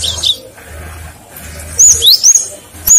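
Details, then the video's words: Cinereous tit singing a lure song to prompt answers from others: a short pair of clear, high whistled notes near the end, after a quiet stretch with faint low hum. "Pancingan suara burung gelatik batu | gacor | gelatik lain langsung nyaut"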